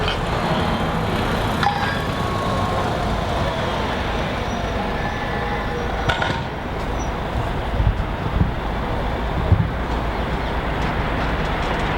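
Steady road traffic rumble with passing vehicles and a few faint clinks; no animal voice stands out.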